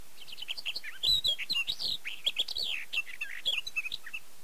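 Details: In Tokaj, Hungary (Erdőhorváti), May 2013, a Barred warbler sings a dense, scratchy warble: quick jumbled notes, rasping chatter and short slurred whistles running without pause, recorded with a Canon EOS 7D.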